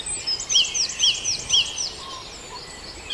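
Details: Birds at dawn in Farndale: one singer repeats a clear, downward-curving whistled note about twice a second among softer high twitters, then the phrase stops and faint calls continue.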